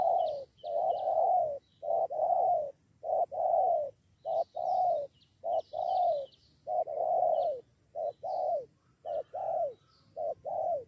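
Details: Spotted doves drawn in by a decoy and close to fighting, two against one. Rich hollow cooing in steady paired notes runs without pause, with light chirps from other birds in the background.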